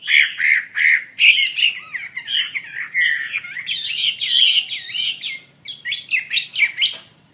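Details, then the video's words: Chinese hwamei song of loud, dense whistled and warbled phrases, some harsh and broadband, with quick rising notes near the end; faint low hum in background. "SUARA KICAU BURUNG HWAMEI WAMBI GACOR"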